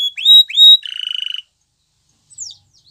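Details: Canary giving two rising whistled notes followed by a quick buzzy trill, then near silence with one faint descending chirp.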